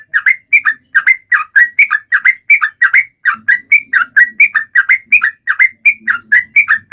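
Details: Lively Sooty-headed bulbul song meant to draw other birds into singing: rapid, steady chain of short whistled notes, paired low-dipping and higher rising tones, repeated without pause for seven seconds.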